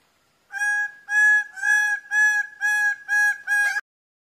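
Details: Greater bird-of-paradise calling in a rapid series of seven loud, nasal, harmonic notes, each about a third of a second long and repeated roughly twice per second, ending abruptly; quiet background.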